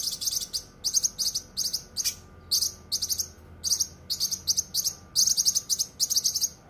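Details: Dense, sharp masteran song of cucak kinoi: repeated bursts of high, raspy, buzzing notes in fast runs, each lasting under a second, separated by short gaps.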